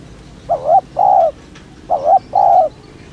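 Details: Two phrases from a spotted dove's 'thúc' luring coo: each a short wavering note and then a longer, level, hollow coo, separated by a brief pause.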